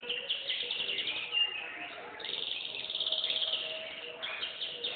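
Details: Canary singing rapid, rolling trills high in pitch, broken into bursts with a brief pause near the middle, then a long sustained trilled phrase.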